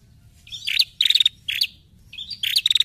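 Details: Lure call of a female bar-winged prinia, used to stir up wild-caught prinias: bright, high chip notes punctuated by fast ticking rattles of about six beats, coming in three bursts over under three seconds; no other sounds.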